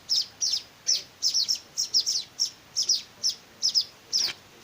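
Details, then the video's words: Weaver chicks begging during hand-feeding: high, sharp chirps, often doubled, spaced about every third of a second, with a short scraping noise near the end. "meloloh anakan burung Manyar"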